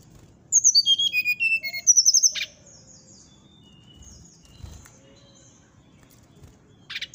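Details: Morning song of a Brown-chested Jungle Flycatcher: a falling series of whistled notes, then a short run of high notes. After that comes a quiet stretch with faint distant chirps.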